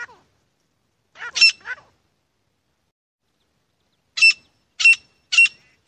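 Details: Grey francolin (Irani teetar) calling in sharp, loud, strident notes: a double burst, a pause of over two seconds, then three quick ringing notes about half a second apart against a silent background.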